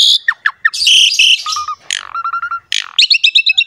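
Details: Captive Asian pied starling singing energetically, used as a master to coax quiet birds: sharp downslurred chips, bright whistled notes, a nasal stuttered series and a closing rapid trill.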